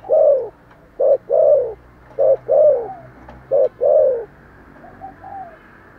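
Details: A spotted dove coos with vigour: four low phrases, each a short hoot then a longer descending coo, about one per second, with a faint softer coo and light background hum at the end.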